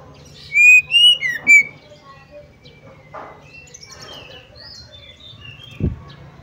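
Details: Female Oriental magpie-robin call used to excite males: a short burst of three or four loud looping whistles at the start, then faint distant chirps, scattered twitters and a low thud.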